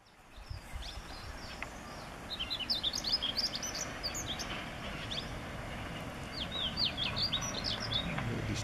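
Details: Himalayan (white-tailed) rubythroat (Calliope pectoralis) gives quick, high, thin chirps and twitters, several each second in loose bursts, over a steady low rumble of wind.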